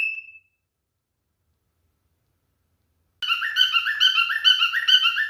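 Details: Male cockatiel in courtship: a brief clear whistle, about three seconds of silence, then fast chattering song of stepped, rising notes repeated a couple of times per second.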